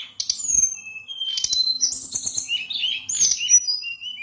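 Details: Varied high song from a Bali brown-chested jungle flycatcher: clipped whistles, a rasping burst, then a bubbling series of quick warbled notes and a final thin falling whistle, with a faint low hum behind.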